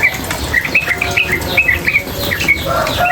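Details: Female yellow-vented bulbul, a training recording for cage birds paired with running water: quick series of short, sharp chirped notes near one pitch, several per second, over a steady watery hiss.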